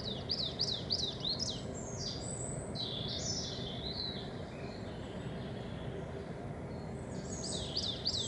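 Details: Spring song of a coal tit with great tits and chaffinches in the background. A quick series of high, sharp, repeated two-part notes opens the recording and returns at the end, with other high warbled phrases between. Constant low rumble.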